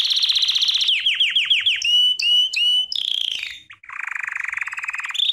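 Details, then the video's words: Belgian canary training song: rapid trill, a run of five descending swept notes, sharp clipped whistles, then a lower buzzy rattling roll and a brief higher phrase. "CANTO CANÁRIO BELGA - TREINAR"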